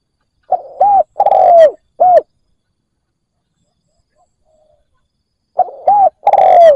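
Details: Spotted dove, a decoy bird calling to lure wild doves: two low, hooting three-note phrases, a short coo, a longer coo that slides downward, then a short coo, separated by about three seconds of silence.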